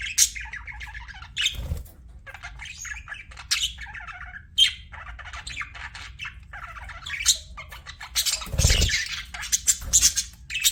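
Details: Pet budgies chirping and chattering: rapid scratchy warbles and squeaky chirps mixed with louder squawks, plus a couple of low thumps or bumps near the end.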